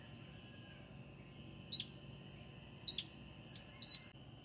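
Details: Birds chirping in a garden around five o'clock in the morning: thin, high, faint chirps repeated roughly twice a second over a quiet background hum.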